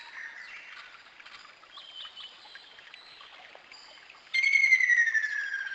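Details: Ruddy kingfisher trill bursting in after several quiet seconds of faint bird chatter, a loud rolling note beginning to slide downward in pitch before the recording ends.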